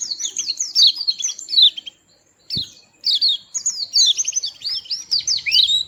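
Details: Little white-eye bird with a melodious voice: fast bursts of high, twittering downslurred notes, a short silent pause with a single thump near the middle, then more rapid chirping phrases.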